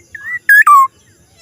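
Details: One phrase from a black-naped oriole's strange sound: a soft level whistle, then a loud fluty note and a sliding, falling whistle.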